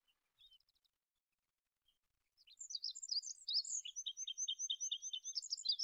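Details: After faint scattered ticks, an olive-backed pipit bursts into loud high twittering, settling into a steady stream of thin, quick, repeated slurred notes.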